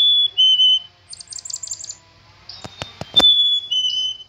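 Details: A black-capped chickadee sings its high-then-lower whistle, follows with a rapid string of buzzy 'dee' notes, then whistles again; several sharp tapping clicks sound in between.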